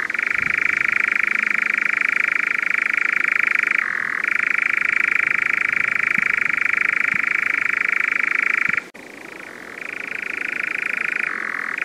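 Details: European nightjar, a crepuscular insectivore whose song recalls an insect, gives a steady mechanical churr of rapid even pulses that drops in pitch briefly near four seconds, then cuts out abruptly near nine seconds before resuming.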